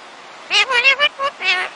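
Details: Male Indian ring-necked (rose-ringed) parakeet, a pet being taught words, speaks five quick, nasal, speech-like syllables over about a second, with a rough, mid-pitched voice and a brief pause before the last two.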